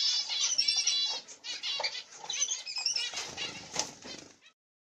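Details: Pair of masked black-cheeked mutation zebra finches with their chicks in the nest; rapid buzzy chattering, strongly stacked high notes repeated about three or four per second, fading out before the end.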